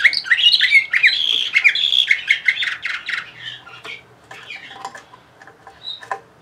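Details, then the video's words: Orpheus, a 2020 Bulgarian canary from Sofia, sings rapid warbled syllables packed closely together, loud at first and then tapering into faint scattered chips and one high note near the end. "Bulgarian Canary Orpheus 2020"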